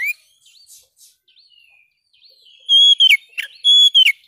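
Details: Oriental magpie-robin (kacer) singing a varied song: faint scattered whistles early, then loud pure whistled notes held about half a second, interleaved with sharp downward chips, closing with a falling slur.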